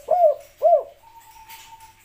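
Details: Spotted dove giving its three-part 'kuk 3' call, played back sped up. Two quick, arched coos rise and fall, followed by a thin steady whistled tone.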